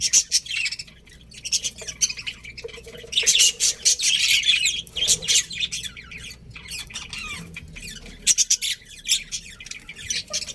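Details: Budgerigar colony with a breeding pair: sustained, dense chattering of many birds, buzzy warbles and sharp chirps swelling into a loud burst midway, then continuing in choppy clusters.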